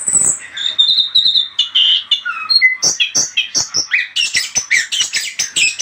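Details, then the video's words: An anis kembang, the orange-headed thrush, delivers lure song: steady whistled notes at first, then a quickening series of sharp, varied chips and trills, nearly five per second by the end. "SUARA PANCINGAN AMPUH ANIS KEMBANG,LANGSUNG IKUT NYAUT DAN NYIUL"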